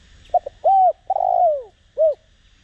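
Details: Decoy spotted dove (cu gáy) in the Đồng Rặc voice style, used to provoke cooing: two quick soft notes, a mellow hoot, a long rough falling coo and a final rounded hoot.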